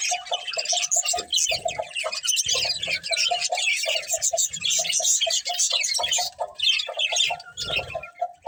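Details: A breeding pair of budgerigars chatters in a dense, continuous stream of high, scratchy warbles and chirps. Faint low tonal notes and soft thumps sound underneath.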